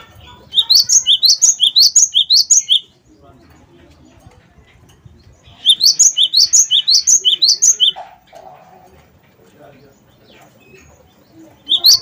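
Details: Cinereous tit singing a 'wingko'-style song used as a lure to make other birds sing: two bursts of high, sharp two-note phrases, rapidly repeated for about two seconds each, separated by a quiet gap with faint other chirps.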